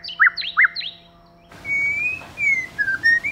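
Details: White-rumped shama song from a male and female pair: three bright up-and-down whistled notes, then after a jump in background hiss a smooth drawn-out whistle rising and falling.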